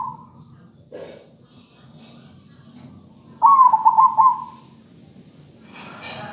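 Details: Zebra dove singing as a training lure: one loud rolling, bubbling coo phrase of about a second, with soft rustling noises and a brief burst of broadband sound near the end.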